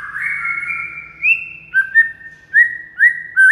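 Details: White-rumped shama training song (masteran) to prompt a silent bird into singing: a long sustained whistle first, then short clear upslurred whistles repeated at roughly half-second intervals.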